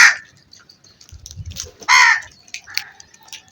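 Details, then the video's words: Crow uttering a loud, raspy caw in the middle, with a brief harsh call at the start and faint chirping and low rumble around it. "All types of Crow Sounds"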